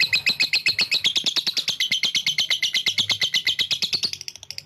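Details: Lovebird's long ngekek song for provoking rival birds: a fast, high, rattling chatter of evenly spaced pulses over four seconds, fading slightly at the close.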